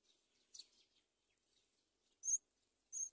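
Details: Nestling mynas on a palm tree, mother bringing locusts; a soft scratchy rustle, then two loud, high, buzzy squeaks about two thirds of a second apart.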